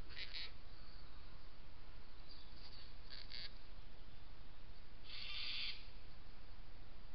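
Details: Adult pair of gang-gang cockatoos at a well in Yackandandah, Victoria, on 17 January 2017, drinking. Three bursts of grating, creaky calls come several seconds apart amid strong low-pitched wind noise.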